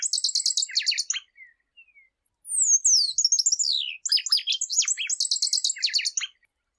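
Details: Shiny cowbird (chupim) of Brazil in song: bursts of fast buzzy trilled notes, then a high descending whistle leading into bubbly tumbling phrases, ending in another rapid trill; no other sounds.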